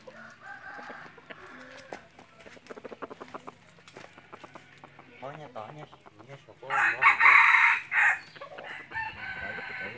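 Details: Red junglefowl kept as a hunting decoy gives a loud, hoarse crow near the end, after several seconds of soft clucks, clicks and low background noise.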